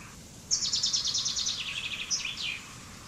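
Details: Single song strophe of a common chaffinch (Fringilla coelebs): it starts abruptly, runs through a cascading trill of crisp notes dropping in pitch, and finishes with a quick upward-then-down flourish.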